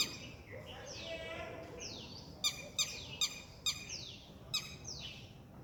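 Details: Red-wattled lapwing in a neighbourhood park in India giving five sharp, strident notes in about two seconds, its call likened to "did he do it", over repeated high whistles sweeping downward and a soft outdoor hum.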